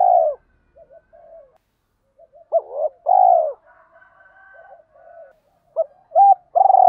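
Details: Calls of male and female spotted doves played to stimulate birds. A loud coo, quiet mutters, then a paired coo and a long falling coo, softer warbling, and a final run of stronger coos.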